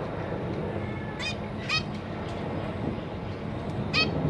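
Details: Zebra finch parents with three juveniles and three new babies in a cage, busy feeding the young; three short nasal calls spaced about a second apart, fairly soft over a noisy low rumble.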